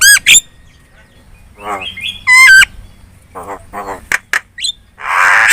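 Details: Javan myna lure song meant to get other birds responding: clear stacked whistled notes and squawks separated by quieter gaps, ending in a rough noisy burst.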